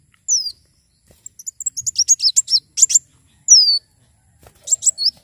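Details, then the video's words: Javan sunbird in full song: a sharp, high downslurred whistle, then an accelerating run of crisp, high-pitched chirps, another falling whistle, and a final quick cluster of chirps. "Kolibri wulung gacor"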